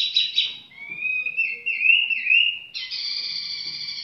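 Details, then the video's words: Tiểu mi bird singing at a relaxed pace: rough buzzy notes, then a long wavering whistle sliding up and down, ending in a steady harmonic-rich tone. "chim tiểu mi chơi lai rai"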